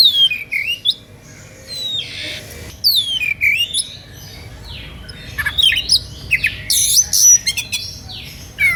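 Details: Kacer, the Oriental magpie-robin, singing an emotive playing song said to lure rival magpie-robins into answering; long sequence of loud descending whistles, buzzy notes and chattering phrases with short gaps.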